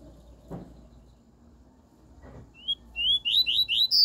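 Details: Pure 'tui tui' song of a double-collared seedeater, meant for tutoring a young bird: after a near-silent start with faint knocks, one brief whistle leads into a rapid series of bright, upward-slurred whistled notes that climb at the end.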